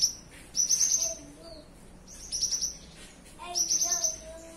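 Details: Cinereous tit song in the morning: three bursts of rapid high trilled chirps about every one and a half seconds, with faint lower whistles between them.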